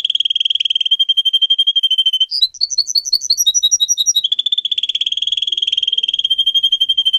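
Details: Singing pet canary in song training: a long rapid rolling trill, then a burst of clear repeated whistled notes jumping between high and low pitches, followed by another extended fast trill; loud and clean with no other sounds.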